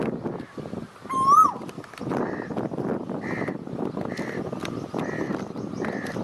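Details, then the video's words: One rich, rising coo from an Asian koel, loud and clear, followed by a series of shorter, higher flat notes repeated about once per second, with constant outdoor background noise. "an Asian Koel bird says coo coo sweetly"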